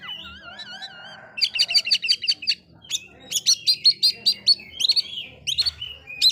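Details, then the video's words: Oriental magpie-robin song used to provoke other magpie-robins: opens with wavering whistled notes, then bursts of sharp, high, rapidly repeated notes broken by short buzzy chatters. "Suara burung kacer bikin emosi kacer lain"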